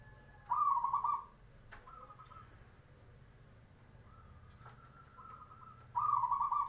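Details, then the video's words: Zebra dove singing in the morning to provoke answers from others: two loud rolling trilled coos about five seconds apart, with softer, thinner trill phrases in between and a brief sharp click. "PANCINGAN SUARA PERKUTUT,WAKTU PAGI HARI,BIKIN YANG LAIN NYAUT"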